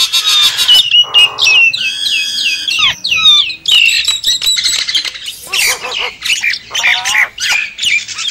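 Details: Javan myna lure call for attracting wild birds: harsh nasal squawks and wavering whistles, with a buzzy burst and a flurry like wingbeats amid scratchy chatter.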